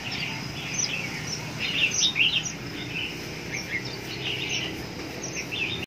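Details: Red-whiskered bulbuls in Hoa Binh give bright, chirpy, fluty notes in quick irregular bursts, several birds overlapping against a steady background hiss.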